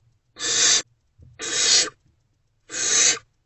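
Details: Barn owl in a nest box at 2 am on 28 February 2024, amid food deliveries: three clean, loud, airy hissing screeches, each about half a second, separated by short pauses, background otherwise quiet.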